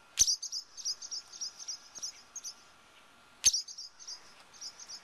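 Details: Two very defensive barn swallows guarding their nest against a person standing close by; rapid series of short, high, sharp chirps, with two loud clicks marking the start of each burst.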